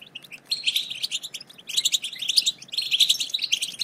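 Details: European goldfinch chatter (batbata), used to stimulate silent goldfinches into song: dense high twittering in three bursts of rapid, scratchy chirps and short tinkling notes, separated by brief pauses.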